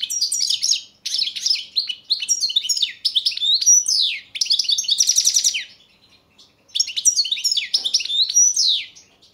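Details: Goldfinch, Carduelis carduelis balcanica, competing in the 2022 World Championship in Goldfinch Song: bursts of quick high twittering separated by short pauses, including a fast rattling trill, the phrases repeating with a longer silence midway.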